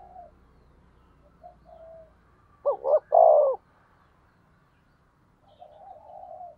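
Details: Decoy spotted dove calling to provoke wild rivals: one loud coo phrase, two short clipped notes then a long hoarse note, with faint softer warbling notes before and after.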